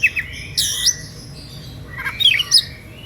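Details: Oriental magpie-robin with an emotional kacer song meant to goad rivals into singing; harsh rasping squawks and slurred whistles in two bursts separated by a quieter gap.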